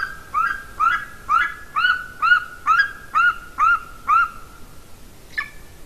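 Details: Female golden eagle at her nest in Latvia, filmed by a nest camera on 30 January 2019: about nine evenly spaced, ringing yelps, roughly two per second, then one softer note after a pause.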